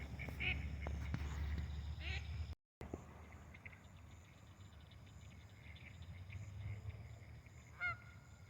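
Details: A duck flying in to land nearby during a lightning storm on 21 March 2024 gives short wheezy, laughing quacks in brief bursts over steady low rumbling noise, with a clearer nasal call near the end.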